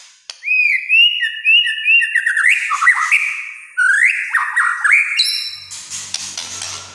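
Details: White-rumped shama singing actively in kretekan style, said to provoke other shamas: rich varied phrases of upslurred whistles, chattering rattles and rising notes, ending in high pure tones and clicks.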